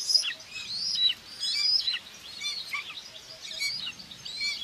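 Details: At a common buzzard nest in Tiszalök, Hungary, June 2, 2024, the mother feeds two chicks; repeated thin, high whistles slide up then fall, roughly once a second, partly overlapping, over a steady hiss.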